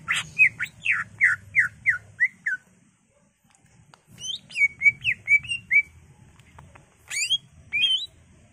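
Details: Greater green leafbird singing energetically as a lure for caged birds: a fast series of loud, falling whistled notes, a brief silence, then varied rising and twisting phrases, and a final high flourish.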